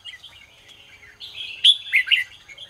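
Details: Morning 'ché' singing by a red-whiskered bulbul: a low running twitter that swells into a loud, bright cluster of rapid whistled and slurred notes, then fades back into soft chatter.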